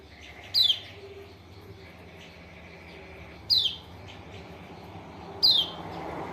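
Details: Kecial kuning, the white-eye of Lombok, giving lure calls to make a silent bird respond: three thin, downward-sliding whistles separated by two to three seconds, light background hum.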